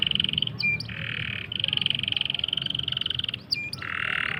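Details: Canary trilling song meant as a tutor for stuck or young canaries: alternating fast rolls and buzzy broadband trills, with short whistled upslurred notes between phrases, all rapid and continuous.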